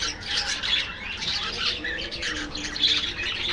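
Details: Aviary budgerigar colony giving busy overlapping chatter: rapid high chirps, buzzy squawks and warbled notes crowd together steadily over a few seconds.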